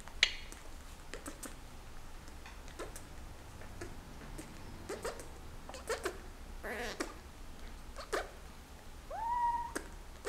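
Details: A Senegal parrot in breeding season courts its owner's hand with scratchy, clicking chatter, then one drawn-out, slightly rising whine near the end, indoors with little else heard.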